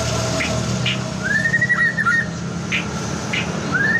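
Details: White-rumped shama lure song meant to get other shamas singing: a long gliding whistle that rises and falls, a few soft hissy notes, and a final rising whistle, all over a steady hum.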